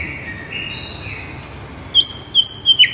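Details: White-rumped shama song used as a master recording to rouse listless birds: long, steady whistled tones, then a few loud, sharp, high notes in quick succession over a constant hiss of background noise.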